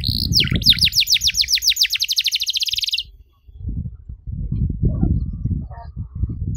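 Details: Canary song for teaching young canaries: about three seconds of rapid descending whistled notes in an accelerating trill, then the bird falls silent, leaving low rumbling background noise.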